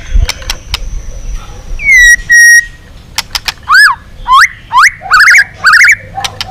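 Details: White-rumped shama song used to train a long song and provoke other shamas. Sharp clicks are followed by loud, clear whistled notes, steady and then rising and falling, and buzzy slurred phrases, repeated about every half second.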